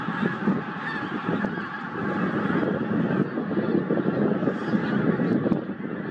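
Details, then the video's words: A flock of pink-footed geese (Anser brachyrhynchus) at Starene in 2023 keeps up a dense, continuous chorus of overlapping honks and higher wink-wink notes, with no pauses. "KORTNEBBGÅS ( ANSER BRACHYRHYNCHUS)"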